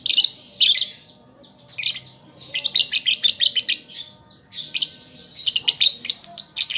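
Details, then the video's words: Juvenile lovebird singing as it learns, offered as a lure for pet birds: loud, dense, scratchy chirps in quick uneven runs, pausing briefly before the next burst of shrill notes. "Pancingan Lovebird Paud Belajar Bunyi Ampuh Langsung Nyaut"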